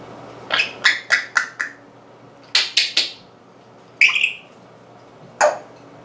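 An African grey parrot gives a quick run of five harsh, clipped squawks, then three more, a brief whistled note, and one last rasp, all in a quiet room.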